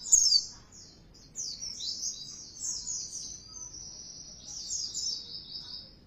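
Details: Softer Oriental white-eye lure song, intended to provoke loud, persistent singing: a bright high squeak, then a continuous thin, rambling twitter of high notes at modest volume over faint background hiss.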